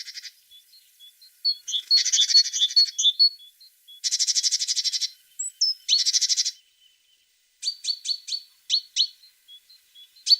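A tit sings high, varied phrases: buzzy churring bursts and thin chirps, then a run of sharp, repeated two-note calls near the end. No other sounds.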